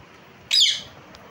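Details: A single loud, drawn-out screech from a parrot that fades away into low background hiss.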